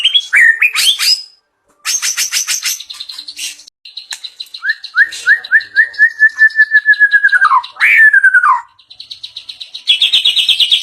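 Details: White-rumped shama unloading its rich isian fill-ins for the first time: varied high trills and rattles, clear upslurred whistles accelerating into a descending trill, a sharp slurred note, then fast buzzy repeated notes.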